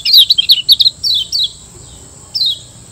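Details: Lombok white-eye (kecial kuning) master recording for caged-bird training: a dense run of bright, tumbling chirps and trills, then a few clear descending whistles, one coming after a short pause, with a faint steady high hum behind.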